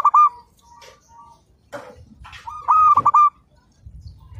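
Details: Local zebra dove singing persistently, meant as a training master recording: two loud cooing phrases, each a clear note followed by a fast stuttering run of throaty 'kuk' notes, with softer coos between. Scattered clicks and knocks are heard.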